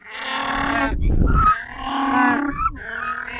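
Humboldt penguin braying like a donkey: two long, hoarse, nasal notes, each about a second, split by a harsh rasping intake of breath.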